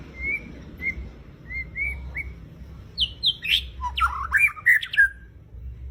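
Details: White-rumped shama kept by a songbird hobbyist sings: soft, spaced whistles first, then a fast burst of loud, varied chirps, squeaks and sharp slurred notes, over a steady low rumbling hum.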